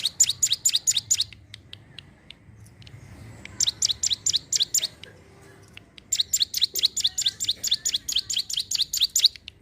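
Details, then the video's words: Sunda warbler in lively song, used for luring wild birds: bursts of rapid, high, sharp chirps in fast strings of about a second, separated by short pauses, with a faint low hum beneath. "cigun gacor siap pancing burung bahan"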